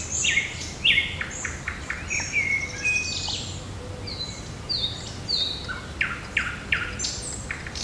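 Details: Several birds singing on a June 8 morning in a park and forest: bright high whistled notes and short chirps, some sliding and some repeated in quick trills, overlapping throughout against a soft steady outdoor hiss.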